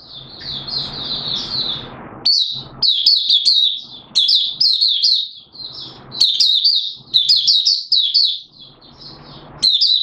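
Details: Malaysian Oriental white-eye singing 'buka' style in Singapore on 29 March 2023, a warm humid day with sudden showers; a long, even warble opens the clip, then loud, sharp twittering bursts follow every second or so.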